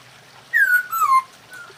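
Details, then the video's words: A single clear two-part whistle from a masked laughingthrush mating call, which is used to raise breeding drive. The note slides gently downward, breaks briefly, then continues lower, with faint hiss in the background. "poksay hongkong kawin"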